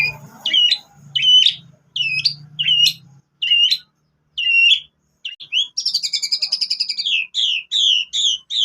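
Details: Shama song carrying imitated canary phrases, a lure for other shamas: spaced two-part whistled notes repeated about every second over a faint low hum, then a fast buzzy trill and several loud slurred whistles.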